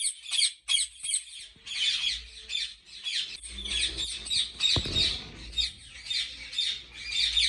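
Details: Harsh screeching calls from ringneck parrots kept at a Pakistani breeding farm, continuous and overlapping, over a low hum and a brief knock.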